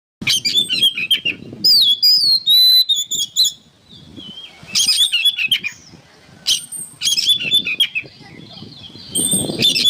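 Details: Oriental magpie-robin singing lively as training material for songbirds: rich whistled phrases around the middle-high range, interleaved with sharp thin high trills and harsh notes, in bursts separated by short pauses, over low rumbling background noise.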